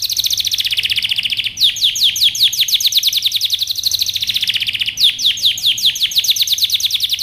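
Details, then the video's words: Canary singing a powerful training song: fast rolling trills of high, downward-sweeping notes. The phrases run continuously, with brief breaks near 1.5 and 5 seconds before new trill tours start. "canary singing over power canary most powerful song for best training"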